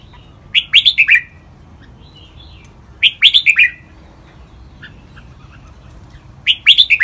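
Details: Training recording of a caged red-whiskered bulbul in lively ลากหวาย song: crisp four-note whistled phrases sliding downward, delivered about every three seconds, with faint scattered chirps between and a soft background hum.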